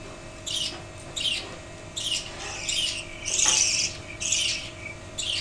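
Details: Budgerigars chattering in a wooden cage after losing the male father bird, a chick waiting in the nest box: loud rasping squawks in long, buzzy bursts, some running together, filling the stretch.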